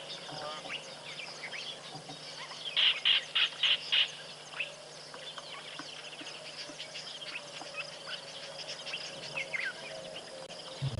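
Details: Red-backed Shrike screeching at Tembe in February, heard from a hide: a quick burst of about six harsh, grating notes. Softer chirps and whistles from other birds run throughout, with a dark-capped bulbul and young impalas bleating nearby.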